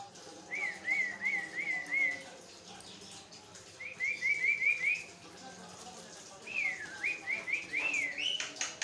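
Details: A Javan myna chatters on as a master recording for training other mynas: three runs of quick, evenly spaced whistled notes, each five or six notes long, with soft scratchy sounds between them.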